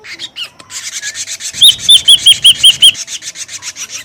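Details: Ashy drongo lure call: a fast run of about seven bright, arched whistled notes over continuous rasping, scratchy chatter.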